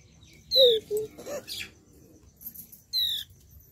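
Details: A flowerpecker, India's smallest bird, gives two sharp, high, slightly falling chips about two and a half seconds apart, with a few softer lower notes between them.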